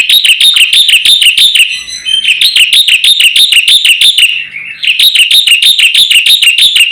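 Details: Javan white starling singing energetically in a master recording meant to set other birds singing: fast, steady series of whistled notes that each rise then fall, roughly three per second, with two brief breaks.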